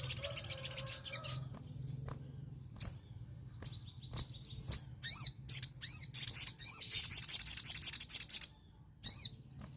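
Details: Orange-headed thrush, an untrained bird, heard on a lure recording used to provoke singing. High, thin chirps rise into a dense run of rapid twittering notes near the end, with a low steady hum underneath.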